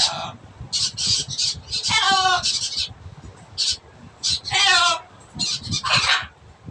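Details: Loud blue-and-yellow macaw making a rapid series of harsh, rasping squawks over several seconds, some clipped and short and two longer with a nasal, ringing quality, separated by brief pauses.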